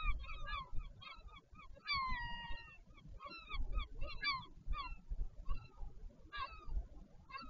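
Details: Nest changeover between northern royal albatross parents at a wild colony, Taiaroa Head, Dunedin, New Zealand, 14 February 2019: a busy series of brief, ringing, harmonic yelps and one drawn-out descending wail, with wind noise beneath.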